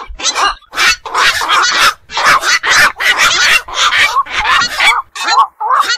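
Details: At night by ponds and wetlands, black-crowned night herons give a near-continuous stream of coarse, grating squawks, crowded bursts then a few clearer, curling nasal notes at the end.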